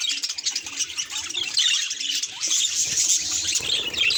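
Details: Pet budgie facing a mirror chirps in a rapid, high chatter, starting patchy and then building into a louder continuous warble.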